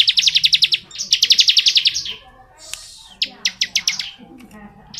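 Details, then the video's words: Ciblek (bar-winged prinia) delivering extended ngebren song, with back-to-back bursts of fast piercing chips, a lull, then a looser series of separated high notes. "BURUNG CIBLEK NGEBREN PANJANG"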